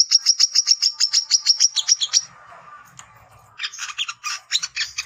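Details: Lure song of a male brown-throated sunbird looking for rivals: fast high chirps for two seconds, a quiet pause, then a scratchier burst of twittering.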